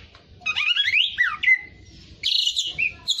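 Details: Oriental magpie-robin (kacer) singing a tutor song in fighter style: clear, sweeping whistles rise and fall, then hold on a long, steady tone, followed after a pause by a burst of higher, chattering notes.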